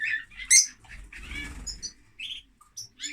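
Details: Lovebirds give sharp, high chirps and squeaks while a soft fluttering of wings rustles in the middle, ending with scattered piercing notes.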